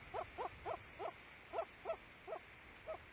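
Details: A pair of loons in view at 08:30 gives eight brief, evenly pitched hoots in a quick series, about three to four each second, over a quiet, hissy background.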